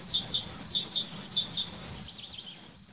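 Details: Great tit, a garden bird that nests in nest boxes, singing its repetitive ringing two-note phrase, high then lower, about four times a second, fading out after two seconds.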